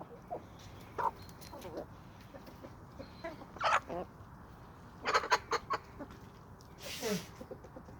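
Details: Hens and roosters from a suburban homestead flock in Toxandria, on sandy soils. Several loud, abrupt squawks and clucks come in clusters at about one, four, five and seven seconds, with quieter clucking between.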